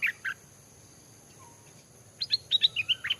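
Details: Recently trapped Stripe-throated Bulbul in a cage hung in forest by a house, trained to sing as a decoy: a brief pair of notes, a pause, then a rich rapid run of warbled, bouncing phrases over a thin steady high whine.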